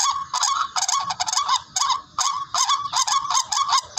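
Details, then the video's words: Barred Rail giving harsh, nasal honking notes in quick bursts, about two or three each second, with a scratchy, buzzy edge; a call used in bird hunting. "HONI NG TIKLING"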